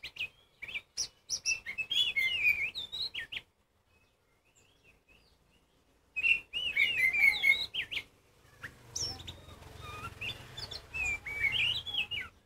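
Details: A kacer poci, the Oriental magpie-robin, delivers a strong song to rouse other magpie-robins into calling. Bursts of bright, warbling whistles and sharp chirps are separated by a silent gap of about three seconds.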